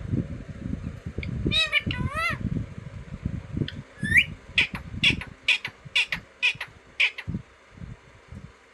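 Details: Green parrot indoors, a few curved whistled notes and a rising slur, then a series of rasping squawks about twice a second over a rumbling low background.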